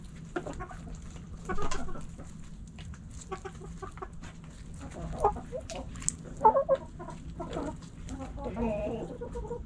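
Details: Backyard hens and roosters pecking and scratching; a drawn-out squawk early, then sparse clucks, sharp pecking clicks and a faint higher note near the end over steady low background noise.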